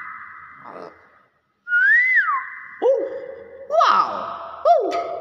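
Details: Common hill myna, subspecies intermedia, from Thailand, giving a loud rising-and-falling whistle, then a string of sliding, voice-like notes with buzzy onsets, indoors.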